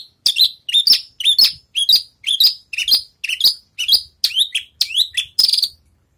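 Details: Javan bush lark training its songs after moulting: a steady series of about a dozen short, sharp, high chirped phrases, evenly spaced roughly every half second.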